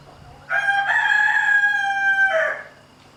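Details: Domestic rooster near a hen with chicks crowing once: a strong, sustained, harmonic call of roughly two seconds, level in pitch, with a short falling tail and a faint background hum.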